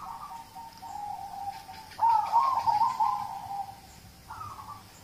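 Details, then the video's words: Zebra dove of local stock cooing, a song played to prompt other birds to sing; a drawn-out low coo leads into a louder rolling, trilled stretch, then a faint closing note. "Audio terapi perkutut lokal untuk pancingan"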